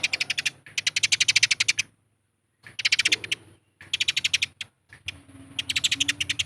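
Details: Territorial fighting calls of Eurasian tree sparrows, played as a lure to make birds sing. Fast, rattling chatter of sharp chirps comes in bursts of one to two seconds, with one clear pause and a soft low hum beneath.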